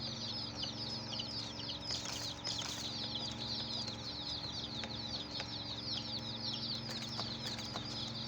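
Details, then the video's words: Many chicken chicks peeping together, a dense flock of short, high, downward-sliding chirps running without pause, overlapping one another, over a steady low hum and a few soft clicks. "Hen Murgi Baby "Chicks Chirping" Sound"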